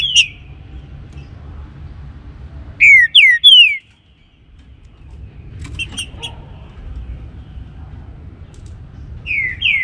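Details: Morning song of a green-winged saltator: a burst of three downslurred whistled notes in quick succession, with scattered short high chips before and after and a quiet low rumble underneath.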